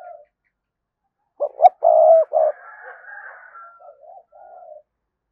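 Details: Spotted dove lure calling to excite wild doves into answering: a stuttering burst of low, throaty coo notes, one strong and sustained, trailing into softer wavering coos.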